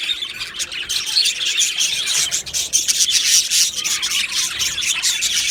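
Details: Aviary colony of Australian budgies, 15 July 2025: rapid, gritty chirping about four notes a second, with squawks and high whistles over a steady chatter of many birds.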